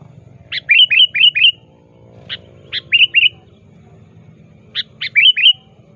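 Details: Active sooty-headed bulbul calling to challenge a rival, used as a trapping lure: three bursts of bubbly, chirping notes, each led by sharp clicks and followed by warbled notes, spaced about two seconds apart, with steady low hum behind.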